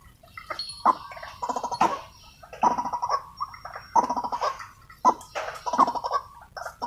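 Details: Excited wild white-breasted waterhens during decoy trapping produce repeated bursts of harsh, gargling, nasal croaks, each phrase starting with a sharp note, spaced about a second apart.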